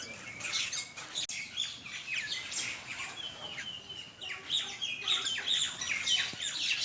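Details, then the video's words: A flock of common mynas at a morning feeding in Bangladesh, giving a busy stream of sharp chirps, short whistled notes and rasping squawks that overlap without a steady rhythm. "শালিক পাখির ঝাঁক"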